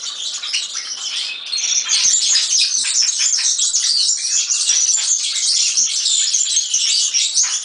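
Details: A European serin sings a sustained, very high, scratchy and glittering twitter, densely packed and unbroken, growing slightly louder after the first second.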